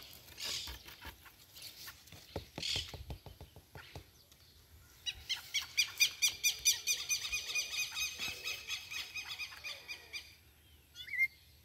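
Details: Rufous-bellied thrush chick, recorded 28 November 2022: a few scattered clicks and rasps at first, then from midway an insistent run of rapid, harsh, ringing calls, several per second, that ends abruptly, with one short thin note after.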